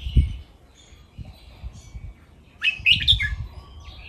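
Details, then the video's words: Red-whiskered bulbul kept in a cage, recorded for song training: a soft thin note at first, then a short burst of loud, fluttering whistled notes near the end. Low thumps and knocks sound underneath. "นกกรงหัวจุก ร้องเล่นริก"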